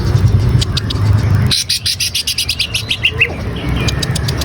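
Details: Green leafbird singing, used as lure audio to set a kept bird off singing. Low rumbling noise first, then a fast, even string of sharp high chips and a couple of short twittering notes.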